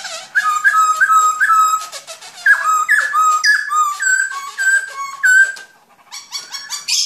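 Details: Black-throated laughingthrush singing a run of clear whistled notes that slur up and down. Repeated phrases come several per second, rich in overtones. A brief quieter pause is followed by a harsher burst at the end.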